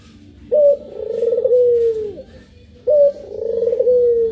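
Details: Two loud coos from a puter pelung dove, one of two birds. Each starts with a sharp, high, clipped note, then a long, vibrating, gently falling hoot lasting over a second, with a quiet pause between them.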